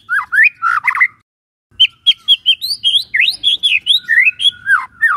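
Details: Energetic White-rumped shama singing: a short burst of twisting whistles, a brief pause, then rapid, evenly spaced high chirping notes with up-and-down inflections.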